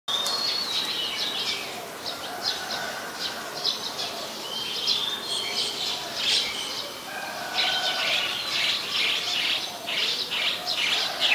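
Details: At Ubon Ratchathani, Thailand, on 16 February 2020, White-vented Mynas give a busy stream of harsh chatters, whistles and squeaky notes, mostly high-pitched and irregular, with other birds possibly chattering alongside.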